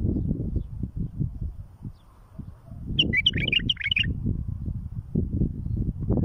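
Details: Bulbul song meant for tutoring chicks: a single tumbling phrase of quick bubbly whistles about a second long, set against strong, steady low-pitched rumbling noise.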